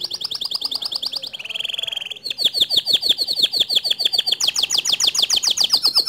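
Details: White male canary singing its long standard song: a fast high roll, a lower buzzy trill, then loud rapid clipped notes repeated several times a second, rising into a higher rolling phrase.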